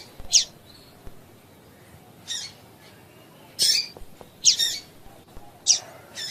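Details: Calls of a female double-collared seedeater, used to set males singing: loud high squeaky chirps at irregular intervals, a few quick doubled notes, with soft clicks between.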